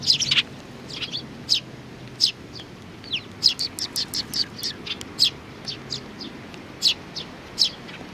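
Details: Several sparrows, including a little one, recorded 27 June 2019. A busy run of high, sharp chirps, many quick notes in rapid succession mid-clip, then spaced single chirps, over low hum.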